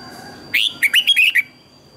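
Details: Red-whiskered bulbul song used to train other birds to sing: a brief burst of five or six liquid, looping whistled notes with slurred rises and falls, lasting under a second in near silence.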